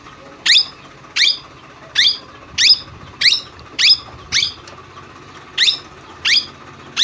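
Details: Parrot repeating loud, grating, rising screeches about every half second, ten calls in quick succession, with a faint steady hum behind.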